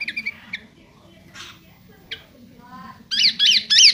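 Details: A Sooty-headed bulbul (Pycnonotus aurigaster) sings scattered high chirps, then three loud, harsh, ringing notes in quick succession, about three per second, over a low background hum.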